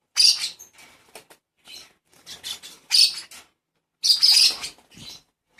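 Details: Baby lovebird being hand-fed as a pet, calling for food: harsh, raspy, hissing bursts in short uneven bouts separated by quiet gaps, with soft handling noises in between.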